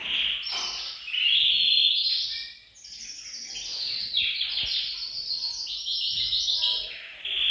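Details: A group of caged canaries in a bird room sings to encourage breeding behaviour: continuous high rolling trills and buzzy repeated notes overlap, with a brief dip in volume before the chorus swells again.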